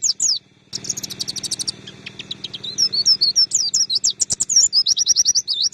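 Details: Oriental white-eye singing for songbird training, opening with quick high chips, then a fast buzzy burst, followed by scattered sharp notes and a lively series of looping, whistled phrases repeated rapidly.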